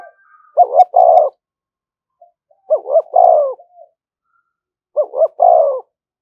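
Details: Decoy spotted dove cooing continuously to provoke fighting; three phrases, each two short rising notes then a long falling coo, about two seconds apart.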